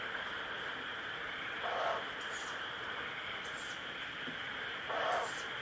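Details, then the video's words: Owl chick giving its 'pish, pish' begging calls: three short, hissy, high-pitched bursts, about one every second or so, with two lower breathy rushes of sound, over a steady background hiss. "フクロウ ピシュと鳴くヒナ鳥"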